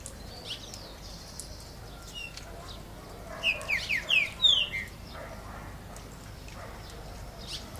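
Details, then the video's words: Green-winged saltator that began singing on this day, delivering a brief phrase of about five clear, slurred whistled notes mid-clip, each sliding downward, over a quiet, hissy background. "trinca cantando"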